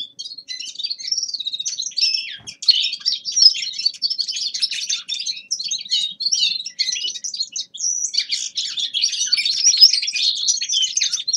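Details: Young male common linnet in winter, giving a warm-up practice song: a continuous, fast twittering of high, varied chirps and short trills with brief pauses, dense throughout.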